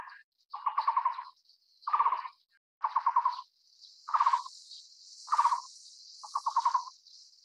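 Taiwan barbet giving six hollow, rapid bursts of low knocking notes, each burst about half a second, repeated about every second, over a steady insect hum.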